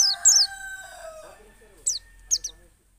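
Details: Pacitan white-eye (pleci dakun) singing in wild ngalas and nembak style, used as a lure to make other white-eyes open their beaks: a few sharp, high, fast descending whistled notes with pauses, over a rooster crowing in the background.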